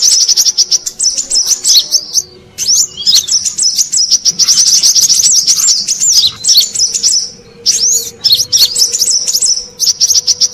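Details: Brown-throated sunbird lure call, used to attract wild birds: dense, high, thin chattering and twittering with quick rising and falling notes, nearly continuous, broken by a few short pauses near two, seven and eight seconds.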